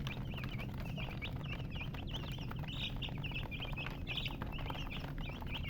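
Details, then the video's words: Chorus of chicken chicks: bright, thin peeps tumble over one another without pause, each a short arched whistle, with a deep background hum throughout. "Witty MURGI Baby "Chicks Chirping" Sound"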